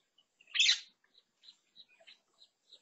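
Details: Lesser necklaced laughingthrush at a fruit feeder, 16 June 2022: one loud, harsh, scratchy burst stands out, followed by faint scattered chips in quiet surroundings.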